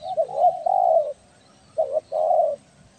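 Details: Spotted dove of the 'belah dada' type, a persistent caller whose voice serves as a lure for trapping. It gives low, mellow coos: a rolling multi-note phrase, a pause, then a short coo and a longer drawn-out one. The background is quiet.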